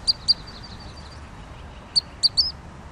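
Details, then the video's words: Two sharp high peeps from a pygmy nuthatch, a fainter trailing twitter, then after a pause more sharp notes ending in a squeaky flourish. "Canto del Trepador Enano"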